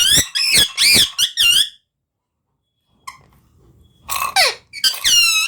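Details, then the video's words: Fast squeaky chatter with bending harmonic notes from a talking parrot, then a long silence, followed by further sharp falling squeals and a buzzy squawk. "Talking Parrot/Smart Talking Parrot"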